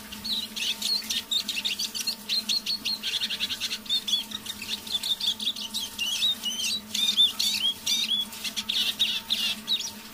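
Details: A tame decoy siskin warbling quietly at dusk: ten seconds of dense, high, twittering phrases with rising and falling whistled notes, steady low hum throughout.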